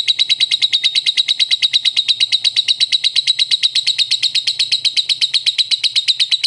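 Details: Lovebird ngekek, a long sustained chatter of rapid, high, buzzy notes pouring out at a steady fast pace without a break.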